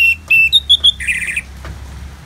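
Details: Orange-headed thrush: a few clear level whistled notes followed by a harsh scratchy buzz, with low background hum.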